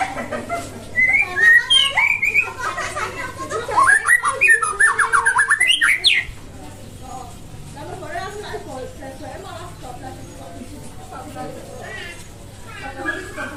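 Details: Nias white-rumped shama song: loud whistled slurred notes building into a fast series of sharp, repeated strokes for about two seconds, followed by quieter faint twittering over a constant low hum.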